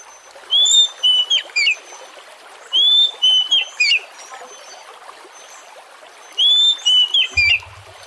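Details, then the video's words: Oriental magpie-robin lure song for coaxing other birds to sing: three repeats of the same phrase, a held clear whistle followed by two to three shorter dropping notes, spaced about three seconds, with steady faint hiss. "Pancingan kacer Jenis APAPUN agar Lekas GACOR dan NGEPLONG"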